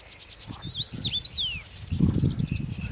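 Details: Common Rosefinch at Stawy Pietkowskie ponds, Podlasie, Poland, in May 2018, sings a short phrase of clear, slurred whistles swooping up and down, over a steady low rumble and faint ticking insects.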